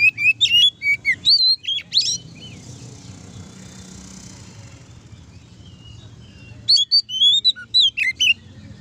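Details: Magpie-robin ngeplong song for provoking other oriental magpie-robins to sing: a burst of fast, warbling whistles with buzzy notes, a long quiet stretch of faint hiss, then another lively phrase.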